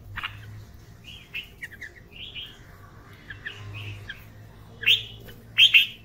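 A red-vented bulbul gives short, bubbly chirps and slurred whistles at mid-high pitch, with two louder, sharper notes near the end. A faint low hum lies underneath.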